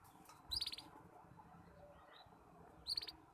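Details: Young canary practising its song, still broken into fragments: two short bursts of rapid trilled notes about two seconds apart, over a steady background hiss and low murmur.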